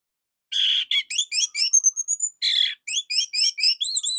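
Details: Orange-headed thrush delivering a short, unique, slightly tight and loud song used as a master for training young spotted or quiet birds: a buzzy burst, then quick rising whistled notes repeated rapidly, a long thin whistle, and more upslurred phrases.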